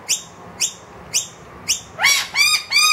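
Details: A wild noisy miner with two young indoors calls for food from an empty feeder: four thin rising chirps, then three louder, harsher, richer calls close together.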